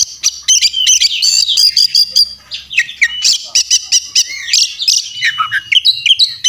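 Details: Oriental magpie-robin in full fighting song, a master recording for training other birds: dense, rapid stream of shrill whistles, buzzy trills and scratchy notes, almost without pause, over a faint low hum.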